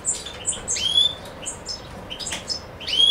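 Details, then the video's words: European goldfinch (Carduelis carduelis) recorded in Macedonia on 7 July 2011; scattered high twittering notes with a few rising clear whistles and brief buzzy chips, irregular and sparse. "Suki Makedonski-Carduelis carduelis-Macedonia 07.07.2011"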